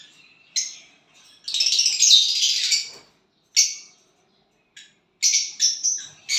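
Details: Violet bird with a partner, chirping: a short chip, then a loud continuous raspy chatter lasting over a second, followed by isolated sharp notes and a quick stuttering cluster of chirps.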